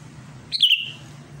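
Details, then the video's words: Sooty-headed bulbul in eager song directed at a rival. One short, rich bubbling phrase, starting high then sliding lower with a drawn-out fading tail. "SUARA CUCAK KUTILANG GACOR MANGGIL LAWAN"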